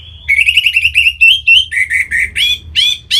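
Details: Orange-headed thrush singing to prompt other birds: a continuous string of fast, repeated whistled notes, steady at first, then dropping lower and ending with rising, sharper notes over about three seconds.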